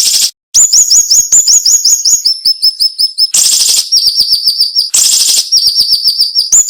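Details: Sharp, dense song of a cinnamon-bellied flowerpecker with short pauses, used for tutoring cage birds. High, slurred notes descend in fast sequences, and two loud buzzy rattles interrupt them.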